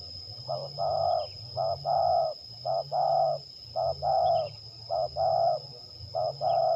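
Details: Zebra dove (terkukur) from Liwa, West Lampung, Indonesia, tested in a singing contest; six or so steady cooing phrases, each a short note leading into a long rolling coo, repeated about once a second, with faint chirps and hum.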